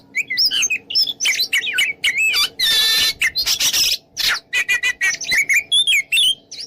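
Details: Oriental magpie-robin in dense ngeplong-style song, a mixed lure to provoke rivals to fight: rapid tumbling whistles and chips interrupted by harsh scratchy rasping bursts, over a steady low hum.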